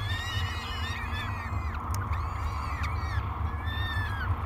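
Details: Hungry peregrine falcon nestlings, three chicks, crying for food during a morning feeding at Great Spirit Bluff on 24 May 2022; overlapping screechy, slurred wails rise and fall continuously, with a deep steady rumble underneath.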